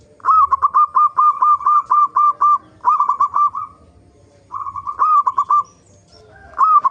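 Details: Local zebra dove in lively song, used as a lure to make other zebra doves sing: rapid runs of short, clipped cooing notes about eight to the second, repeated in bursts separated by brief pauses.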